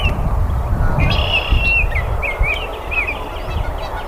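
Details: Baltimore oriole phrase opening with a long steady whistle, then several quick looping slurred notes, heard over heavy low-frequency background rumble.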